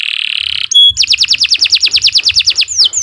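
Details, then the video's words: Canary song used as a master recording for tutoring young birds: a buzzy high trill, a short pure note, then fast repeated descending sweeps about six per second, ending in longer downslurred whistles, over faint low thumping. "Kicau Burung Kenari 90 II GACOR PANJANG Cocok untuk Masteran"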